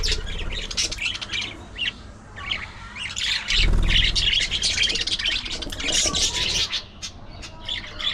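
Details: Budgerigar gossiping with nonstop scratchy warbling and chirps, interrupted midway by a low thump or rumble, then resuming its fast jumbled chatter.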